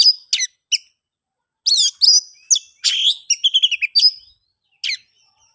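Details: Oriental magpie-robin singing to trigger song in silent birds: isolated sharp whistled notes, then a cluster of rich slurred whistles, harsh buzzes and a quick stuttering trill, ending with one lone note.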